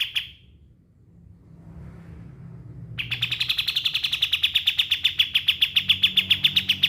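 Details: A pied triller recording meant for mastering songbirds: a brief chirp, a quiet gap with low hum, then a long, quick series of bright repeated chirps, almost four per second.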